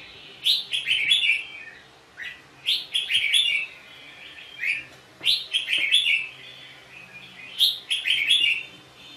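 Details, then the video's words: Red-whiskered bulbul singing in a fighting duel: repeated clusters of quick whistled notes with sharp clicks, bursts every couple of seconds, over a steady background hiss. "chào mào cực đẹp hót cực hay đánh nhau cực khủng"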